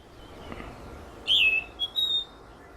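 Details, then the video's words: An orange-headed thrush in a long calling session, mixing its own calls with mimicry of other birds, gives a brief run of clear, high whistled notes: a loud slurred falling note, then two shorter whistles, over faint hiss. "Bird calls - Orange Headed Thrush"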